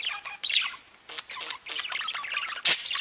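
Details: Pet budgerigars warbling: scratchy chattering phrases with a short pause, resuming in a busy mixed babble and ending in a loud harsh squawk.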